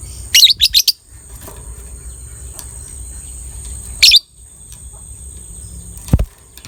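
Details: A 'biola' lovebird, whose voice is used to stir breeding drive in other lovebirds, gives a rapid burst of four shrill, high chirps. A further single sharp chirp follows about three seconds later, with a soft thump near the end.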